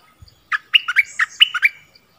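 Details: Decoy bulbul calling to attract wild birds, 16 March 2021, with a brisk phrase of six or seven bright, slurred chirps in under two seconds.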